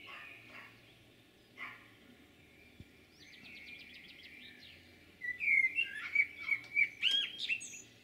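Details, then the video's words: Common blackbird song recorded in Jūrmala, Latvia, 11 June 2022: quiet, distant start with a thin high trill, then a loud burst of clear whistled and twittering notes in rapid sequence near the end. "Blackbird's song"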